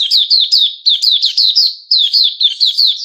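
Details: A male sooty-headed bulbul, recorded 10 July 2021, delivers a continuous rapid string of loud, downward-bending chirps, about four per second, without pause.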